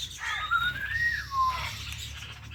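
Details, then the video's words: Indian ringneck parrots at home, two birds, one blue, give drawn-out whistled tones that rise and fall smoothly, overlapping faint chatter and a low background hum. "Our Blue Ringneck Parrot | Natural Parrot Chirping Sounds and Voices"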